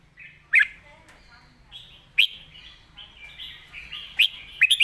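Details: Red-whiskered bulbul singing a loud, clear master-song style, with three short bright whistled phrases spaced about two seconds apart over a soft, continuous chatter of other birds.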